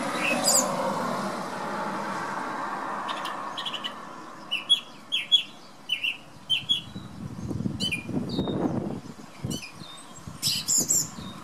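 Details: Windy morning outside a bedroom window, where a male thrush sings a series of short, clear notes repeated one after another, then a burst of higher twittering phrases, with gusts of wind roaring underneath.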